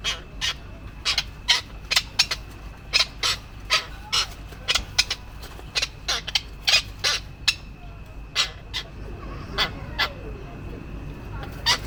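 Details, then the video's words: Male tropicbirds fighting to protect a mate and nesting area, chasing and attacking each other; harsh, raspy, broadband call notes in quick bursts, repeated roughly every half second, over a steady low background rumble. "male Tropic bird fighting to protect mate and nesting area"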